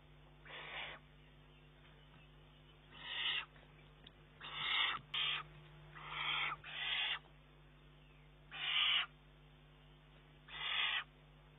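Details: Young Eurasian eagle-owl recorded 19 June 2011 demanding food from its mother though it can eat alone; nine hoarse, rasping screeches at uneven intervals, some in quick pairs, over a steady low hum.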